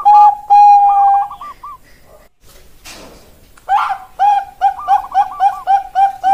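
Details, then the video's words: Zebra dove of the Bangkok type giving a long clear note and rolling coos, then a quiet gap with a brief thump, before a fresh run of rhythmic bubbling notes. "Suara Perkutut Bangkok Berkelas"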